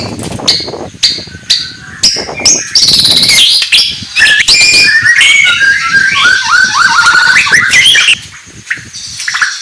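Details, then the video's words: White-rumped shama giving a long, varied morning song: clicks and sharp notes build into fast, tumbling whistled phrases rising and falling, ending with scattered chips. "kicauan murai batu pagi hari"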